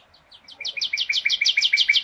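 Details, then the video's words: Bird chirping: a rapid, accelerating series of short, high, downward-slurred chirps, roughly seven or eight per second, growing louder through the two seconds, with faint background noise and no other clear sounds. "Bird Chirps"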